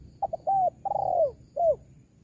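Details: Spotted dove, recorded to call in wild doves: one full phrase of two short notes, a level coo, a long rolling downward-sliding coo and a closing falling note, clear and close.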